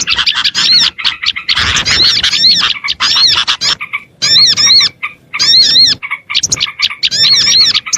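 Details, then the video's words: Small birds twittering on a lure recording used to pull in small birds: clusters of high arched whistles and rapid chirps in bursts of one to two seconds, separated by short silences. "SUARA PIKAT BURUNG KECIL"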